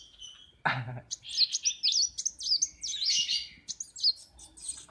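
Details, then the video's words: Kolibri wulung sunbird, a kept bird that sings each morning in a workshop. A sudden thud is followed by a rapid jumble of high, squeaky, twisting notes in quick bursts, with quiet background. "KOLIBRI WULUNG NGOCEH PAGI PAGI"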